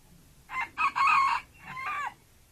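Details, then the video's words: Decoy red junglefowl kept to lure wild junglefowl, giving one loud crow of about one and a half seconds: a short opening note, a brief gap, then a long harsh sustained middle and a falling, fading final section. "ต่อไก่ป่า #เจ้าเสียงหวาน#"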